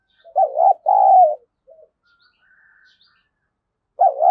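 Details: Spotted dove calling to lure wild doves, one loud paired coo with a short soft follow-up note, a quiet pause with a faint whistle, then the start of the next coo.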